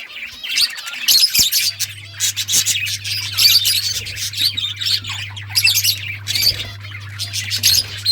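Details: Budgies chirping steadily, dense high warbling chatter with squeaks and clicks in repeated bursts about every second, over a low background hum.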